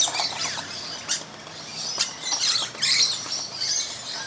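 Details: Shrill, high screeching bursts and rasping squawks come from a flock of feeding musk lorikeets in a tree one Christmas morning. Fruit drops and patters in between.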